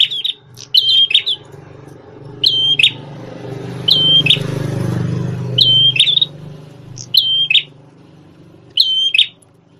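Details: Red-headed prenjak tamu prinia, a lively singer once used as a song tutor for white-rumped shamas: a level whistled note ending in a buzzy trill, repeated about every one and a half seconds over a low rumble of traffic.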